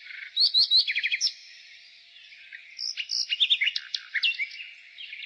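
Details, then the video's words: Spring nightingale song: a burst of bright, rising notes and a quick rattle, a brief lull, then varied chips, whistles and slurred notes. Other birds chirp softly behind. "Nightingale singing"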